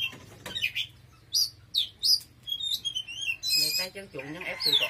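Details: Oriental magpie-robin delivering vigorous song: paired bright downslurred whistles, a sustained whistled note, then a rough buzzy chattering passage.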